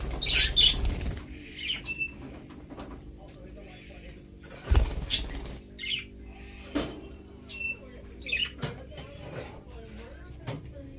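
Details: Australian budgerigars giving scattered short chirps and a couple of clear, ringing harmonic squawks, mixed with repeated bursts of wing flapping and scuffling.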